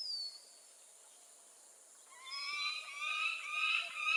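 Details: After two seconds of near silence with one thin falling whistle, a peregrine falcon breaks into loud, grating wailing calls that swell and stay intense to the end.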